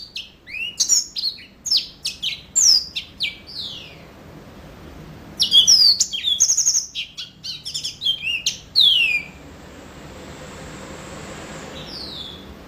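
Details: Yellow-fronted canary in energetic song: dense runs of quick, high chirps and sweeping whistled slurs in two long bursts, then a pause with a faint thin steady tone before a final short phrase.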